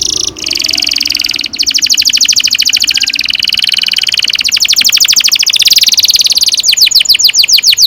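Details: Canary pouring out a long 'ngerol panjang' rolling song, used to coax young canaries into singing: an unbroken string of rapid high pulsed trills that grow slightly faster and sharper toward the end.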